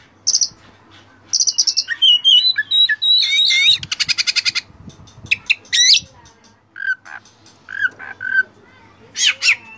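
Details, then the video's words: Oriental magpie-robin (kacer) song used as a training recording packed with varied imitated phrases, meant to provoke other kacer. Rich, fast medley of high whistles, buzzy slurs, rapid repeated clicking bursts near the middle and scattered sharp chirps, no other clear sounds. "masteran Kacer full isian mewah"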